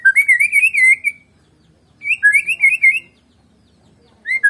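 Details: Medan-type white-rumped shama, singing without a rival: two bursts of bright, rolling whistled phrases about two seconds apart, then a short whistle at the end.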